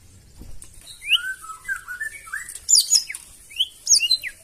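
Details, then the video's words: White-rumped shama song, loud and aimed at stirring other birds to sing, heard as soft slurred whistles and high swooping notes with a few sharp accents. "KICAUAN MURAI BATU NEMBAK KASAR AUTO NGAMUK SEKALI DENGAR LANGSUNG NYAUT"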